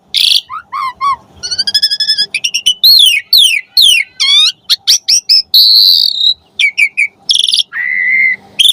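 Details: Asian pied starling, known locally as jalak suren, singing a lively, varied song used to train pet birds: rapid whistled notes, harsh buzzy bursts, slurred rising and falling whistles and short chattering runs in quick succession.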